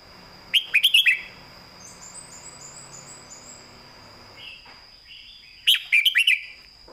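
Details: Clearly phrased master song from a caged red-whiskered bulbul: a rapid cluster of liquid whistled notes, a quiet gap with soft high twittering, then a second matching burst about five seconds later; steady hum underneath.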